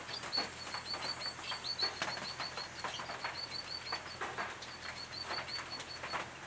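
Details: Eastern brown treecreepers using a nest box, late August 2018, Capertee Valley, New South Wales habitat restoration site; long series of evenly repeated high, short notes over a noisy background.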